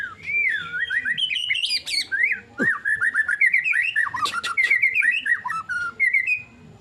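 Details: White-rumped shama in loud, continuous song: fast, varied, warbling phrases that sweep up and down, mixed with rapid twittering notes and a short sharp tick midway.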